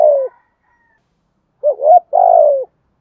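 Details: Spotted dove, "thổ" voice style, luring wild doves: the tail of one coo, then a pause and a full phrase of a rising two-part hoot and a long, level, slightly falling coo.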